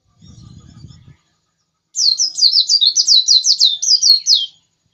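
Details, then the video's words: Energetic white-eye song: a short low rumble first, then after a pause a rapid string of about fifteen high, downward-slurred chirps delivered in a tight, rhythmic burst lasting over two seconds. "Pleci ngotot kicau"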